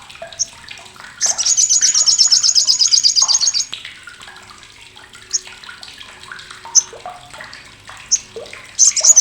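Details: Loud, coarse crecetan chatter of the olive-backed sunbird, or sriganti, kept as a tutor for contest birds: a rapid, shrill, buzzing rattle for over two seconds, then intermittent sharp high chips and soft lower twitters, another rattle starting at the end.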